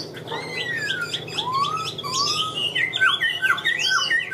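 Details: Chinese hwamei kept in a cage pours out rich song: long descending and rising whistled slides open the phrase, followed by quick repeated chirping notes and sharp downward-swooping whistles, indoors.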